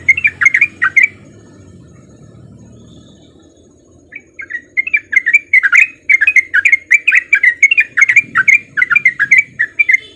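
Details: Male Sooty-headed bulbul in breeding condition singing a rapid ropel lure song meant to get other bulbuls singing; a short burst of chirps, a three-second gap with low rumbling, then a long, fast run of bubbly notes.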